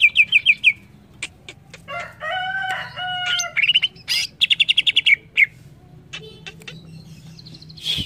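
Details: Greater green leafbird singing, meant to train young birds to sing well: quick chirp bursts, then a nasal buzzy stretch of drawn-out tones, followed by a clipped rapid trill and scattered sharp notes.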